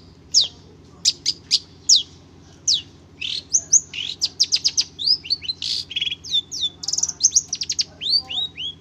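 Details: Caged Madura long-tailed shrike mimicking other birds: sharp falling whistles spaced apart at first, then a quickening string of varied slurred whistles and curling notes, over a faint low hum.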